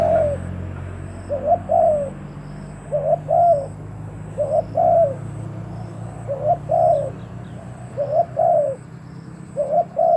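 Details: Spotted dove kept as a decoy for luring wild birds, cooing steadily in paired notes, a clipped first coo and a longer rounded second, repeated roughly every one and a half seconds over low background hum.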